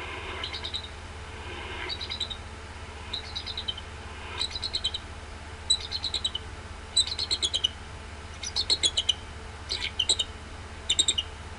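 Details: Bald eagle at the Decorah nest on 23 February 2016, the male rising from the eggs around 6:28 am at dawn after night duty and calling out, then answered. Faint, high, thin piping notes in short bursts, repeated roughly every second, over low steady hum.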